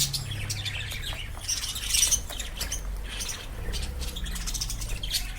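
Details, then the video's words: Lovebirds chirping: rapid, sharp, high-pitched chirps and squeaks in dense overlapping bursts, peaking in loudness near the two-second mark, over a low steady background hum. "Chirping sound of love birds"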